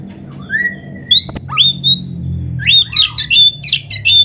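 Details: Oriental magpie-robin singing continuously: rising and falling pure whistles, a sharp click, then a rapid cluster of looping, scratchy notes, against a faint low hum.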